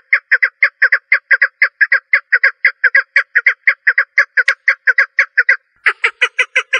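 A female partridge gives a steady run of short, clucking notes, about two per second, with a brief pause before a slightly harsher burst.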